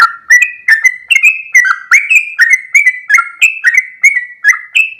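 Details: Sooty-headed bulbul, called trucuk, singing a long rapid ropel phrase: rich whistled notes gliding up and down, delivered almost without pause for five seconds.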